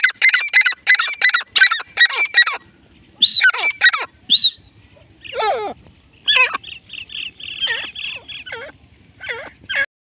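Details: Grey francolin giving a loud series of harsh, rasping repeated notes, then a pause followed by scattered squeaky and grating calls with varied, irregular spacing; faint low background rumble.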